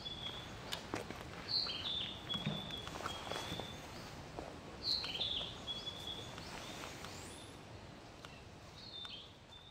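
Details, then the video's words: A male Narcissus flycatcher sings at 7:30 am on 6 May 2013 in Tokyo: clear, high whistled phrases, each a short bright flourish repeated about every three to four seconds, over a steady hiss and faint rustling. "キビタキ♂-2 さえずり♪ A song of a Narcissus Flycatcher(male)"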